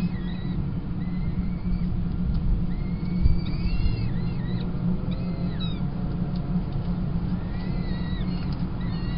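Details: Peregrine falcon chicks calling during a feed at a Kingston College nest, 28 April 2021, after the female takes over from the tiercel; clusters of high, curved, squeaky whistles with harmonics over a continuous low rumble.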